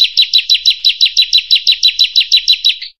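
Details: Prinia (prenjak) song, a masteran training recording: a steady string of high, slurred chirps falling in pitch, repeated about every 0.16 seconds for three seconds. The background is clean.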